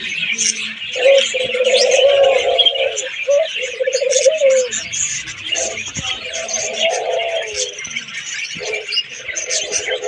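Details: Australian doves kept in an aviary in Rangpur: low, drawn-out cooing notes about a second long recur through the recording beneath a dense, constant twittering of many small caged birds.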